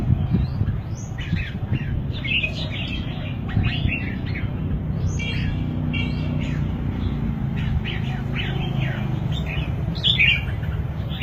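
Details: Red-whiskered bulbul singing: short bright chirping and warbled phrases, rising and falling notes repeated in quick bursts throughout, over a steady low rumbling background noise.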